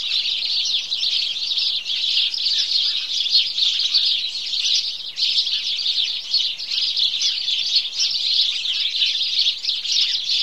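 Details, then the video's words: A flock of house sparrows calling together at dawn, countless shrill cheeps layered into one constant, busy chatter that holds an even level throughout, with a brief dip in the middle. "Morning Chorus Of House Sparrow"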